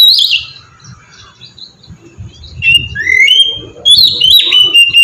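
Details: Oriental magpie-robin in ngeplong song, a lure for prompting other birds to sing: an opening whistled phrase, a stretch of soft low background noise, then rising clear whistles and sustained high notes in the second half.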